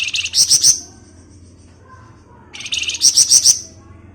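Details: Flamboyan in 'ngebren' style, used to lure other birds: two short bursts of quick, shrill repeated chirps, roughly five to six notes each, separated by about two seconds of near quiet.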